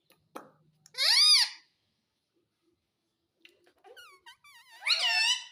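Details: Talking Indian ringneck parakeet in a room, said to say mummy and papa: a loud arching speech-like phrase, a long pause, then soft chattering notes leading into another loud slurred phrase.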